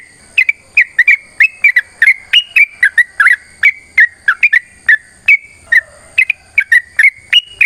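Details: Sooty-headed bulbul in full fighting song, used as a prompt to get other birds singing: a steady, fast series of sharp whistled notes, mostly level or slightly rising, with one lower wavering note midway.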